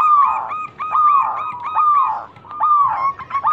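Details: Local zebra dove, recorded as a lure to prompt other birds to sing: a series of hooked, nasal cooing notes repeated about once a second, with a brief quieter pause midway.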